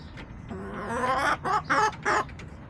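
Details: Backyard hens, recorded on April 27, 2024: a drawn-out, rising, harmonic call followed by three short, loud clucking bursts, with light background noise.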